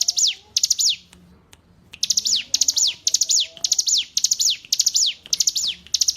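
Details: Song of the hill prinia used to train captive songbirds. Two phrases, a short pause, then a steady run of high phrases, each a fast trill of ticks dropping into a descending slur.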